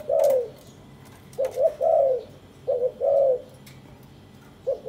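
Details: Spotted dove from a caged breeding pair that is preening each other and carrying material to build a nest; soft low cooing phrases in short bursts, a double note then a longer coo, repeated about every one to two seconds, quiet room.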